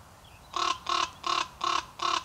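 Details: Raven giving five harsh, nasal calls evenly spaced, about three each second, each call short and rasping with a strong buzzy tone, over a quiet background.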